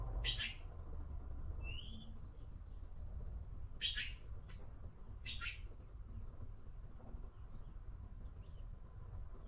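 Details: Blue magpie nestlings waiting for food, giving three short harsh broadband squawks spaced about two seconds apart, with a thin rising whistle from another bird between them, over a steady low rumbling background.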